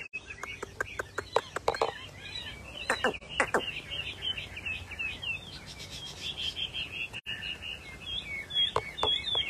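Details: Rare pale-coloured caged Chinese hwamei, bông mơ bạc tạng variety, singing a continuous rippling song of rapid whistled phrases. Frequent sharp taps and clicks sound throughout, with people talking nearby.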